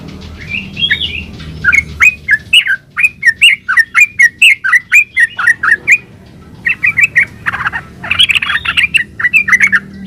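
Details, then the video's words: Lively yellow-vented bulbul song meant as a lure to prompt other bulbuls to reply: a long string of rich, liquid, bubbling phrases repeated quickly, a short gap, then more throaty chattering notes. "SUARA BURUNG TRUCUKAN GACOR ULPIK ROPEL INI COCOK BUAT PANCINGAN TRUCUKAN"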